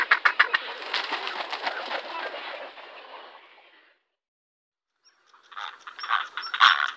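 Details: Grey heron calling: a rapid series of harsh, broadband clicking pulses that fades out over about four seconds, then a short silence and a few louder rasping notes at the end.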